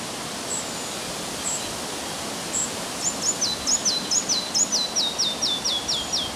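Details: Red-breasted flycatcher singing on the morning of 30 May 2011 north of Översjön, Järvafältet. A few thin, high, isolated notes lead into a descending series of rapid, repeated, sweet notes, under loud, steady wind noise.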